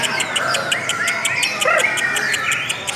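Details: Lovebird singing a long, sweet song: dense, unbroken squeaky chatter and twittering with rapid high ticking notes repeated in quick pulses and sliding whistled squeals, loud and steady throughout.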